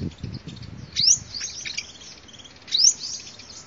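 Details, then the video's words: Sunbird recording meant as a lure: two loud, thin rising whistles about two seconds apart, with softer high twitters between them. "tiếng chim hút mật làm mồi chuẩn"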